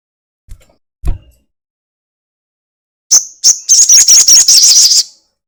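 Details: Crested jay giving the long 'ekek' lure song meant to set other birds singing: two dull thumps, then a brief pause before a burst of rapid, high, rattling chatter notes for about two seconds.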